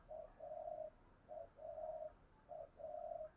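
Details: Spotted dove used to lure wild doves, heard faint and distant: three pairs of soft, even coos, a short note then a longer flat one, over a steady background hiss.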